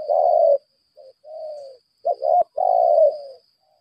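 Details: Decoy spotted dove, 'lambung kuk' type, in a fighting display: a long full coo, soft short notes, then a double note and another long falling coo, with a click and faint high whine.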